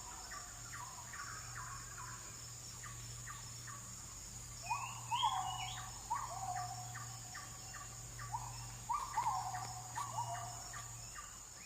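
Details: In forest, an oriental magpie-robin delivers varied whistled phrases with sliding notes, busiest in the middle, against a continuous high insect drone and a faint low hum.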